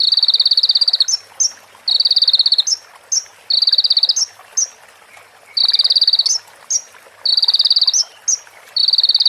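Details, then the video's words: Crimson sunbird (konin) song filled with female prenjak and ciblek phrases, used as a training recording: high, rapid buzzy trill bursts about a second long alternate with short sharp notes, repeating steadily. "MASTERAN KONIN FULL ISIAN PRENJAK BETINA SAMBUNG CIBLEK BREN JERNIH JEDA ORIGINAL DARI SUARA KONIN !"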